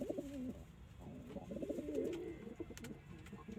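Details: Short stretch of domestic pigeon cooing, a throaty rolling coo at the start followed by softer, quavering murmurs, with light tapping in the background.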